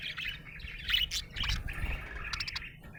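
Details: Happy budgerigar pouring out a busy, scratchy warble with clicks and sharp squeaky chirps in quick succession.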